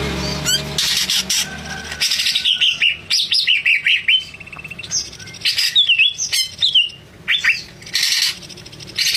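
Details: Greater green leafbird in full, energetic song: rapid runs of clear whistled notes sweeping up and down, short buzzy bursts and sharp chirps in quick succession, with a steady low hum underneath.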